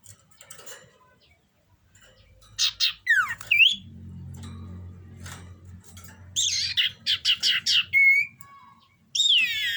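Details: Common iora in breeding condition singing a varied phrase: steep descending whistled sweeps, a run of quick buzzy rasping notes, then a sharp upslurred whistle, set over a steady low hum.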